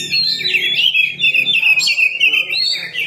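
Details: Oriental magpie-robin song used as a lure to draw a quick response: a continuous stream of high, warbling, twisting whistles, unbroken and fairly loud, with faint low hum underneath.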